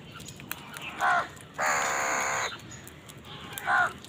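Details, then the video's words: Crows fighting over food give harsh, hoarse caws: a short call, then a long, drawn-out rasping caw lasting nearly a second, then another short caw, with quiet gaps between. "Crow fight for food Crow Sound part 103 কাকের ডাক Crow Fight Scene"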